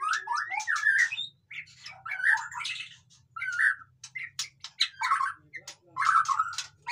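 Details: White-rumped shama singing busily, used to get lazy captive shamas going: lower, scratchy warbled phrases with squawky slurred notes and crisp ticks, delivered in dense bursts separated by short pauses.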